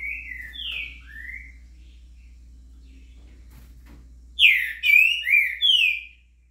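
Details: Green-winged saltator giving the 'estourado' song, a curricutil in the background, 26 September. Opens with a few softer whistled slurs, then after a quiet pause four loud, rich, descending whistled phrases in quick succession.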